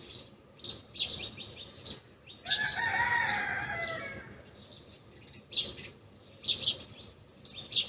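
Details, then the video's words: Several feeding house sparrows chirp in short, overlapping bursts; a rooster crows once in the middle. "Sparrows Sound | Sparrows Voice | Sparrows Chirping | House Sparrows feeding Sound"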